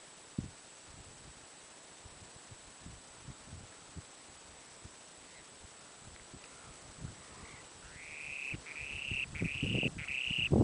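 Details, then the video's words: Spoon-billed sandpiper in Chukotka, Russia, June 2011, gives four thin, slightly trilled, high calls in quick succession near the end, over low rustling and soft thumps. "Spoon billed sandpiper"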